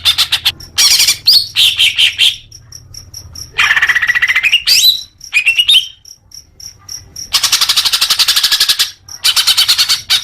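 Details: Lively greater green leafbird singing, meant to push caged birds into song: bursts of rapid chatter alternating with slurred rising whistles, broken by short pauses, with faint repeated high ticks between phrases.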